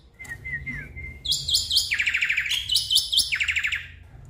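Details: Song of a black-winged myna, used to prompt a stressed caged bird that will not sing: a thin wavering whistle, then loud bursts of buzzy, rapidly repeated notes in stepped phrases.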